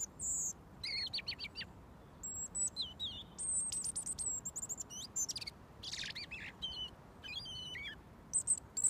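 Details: Wild robin that comes when whistled for, singing up close until mealworms arrive; bright, very high phrases mixing thin sustained whistles, rapid tumbling notes and buzzy bursts, with pauses between phrases and a quiet background.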